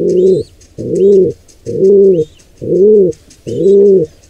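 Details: Wild pigeon nest, squab under attack by an intruder pigeon pair: five deep, booming coo notes at a steady beat under faint, sweeping high chirps from other birds.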